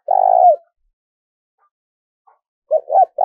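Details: Decoy spotted dove kept to lure wild birds. A long, even, low coo ends with a downward slur. After a silent gap come two short coos and the start of another long note.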